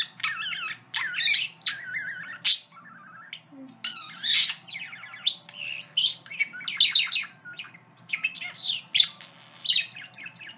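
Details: Male pet parakeet singing and saying favourite phrases: a continuous, busy warble of rapid chirps, squeaks and chattering bursts with frequent brief pauses, over a faint steady background hum.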